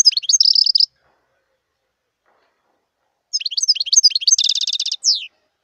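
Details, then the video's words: Wild European goldfinch singing: a short burst of bright twittering notes, silence of over two seconds, then a longer phrase of tinkling chirps ending in a rapid buzzy trill and a downslurred note. No other sounds. "صوت الحسون البري"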